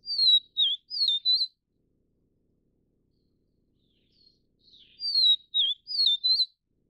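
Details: Vivid niltava of the Taiwan subspecies Niltava vivida vivida, at the nest while feeding chicks: a phrase of four clear whistled notes, gliding and wavering high in pitch, given twice about four seconds apart in otherwise quiet surroundings.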